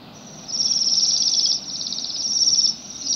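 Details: High, fluttering trills from Bohemian waxwings feeding on rowan berries in December in Pushkin, Saint Petersburg; two long trills of about a second each, run together, over soft background noise.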